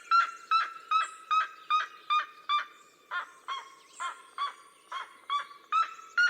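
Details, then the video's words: Red-legged seriemas of the cerrado duet in loud, yelping notes repeated about two or three times a second, with the two birds' calls overlapping into a steady barking chorus. "CHAMADO E CANTO EM DUETO DA SERIEMA"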